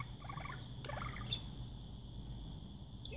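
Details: A pet budgerigar that learned to imitate the talking of parakeets it watched in videos gives two quick bursts of gurgling, warbled chatter in its first second, then goes quiet over a steady low room hum.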